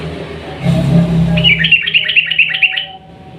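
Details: A sooty-headed bulbul gives its long rolling song to draw a quiet bird into singing: after a low rumble, a rapid even series of about eight bright, bouncing downslurred chirps.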